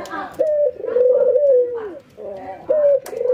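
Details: Caged ringneck doves in training, an albino white bird versus a local one, nodding and laughing: a short purring note, then a long steady coo that slides down at the end, with faint voices behind.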